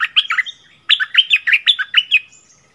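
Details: Doubled song phrase of a merbah lekir bulbul, recorded 24 February 2021: a short burst of bubbly warbling notes, a brief gap, then seven or eight bright, slurred chirps tumbling rapidly and fading into a soft trailing note.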